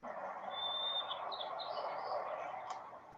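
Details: A sparrow's simple song lasting about one second: a clear, steady whistled note, then a few higher thin notes and a short buzzy ending, over a low room hum.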